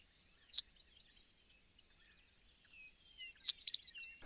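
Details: Eastern Meadowlark gives its buzzy call note, a harsh 'zert': one alone, then a quick burst of three or four about three seconds later, over a steady high insect hum.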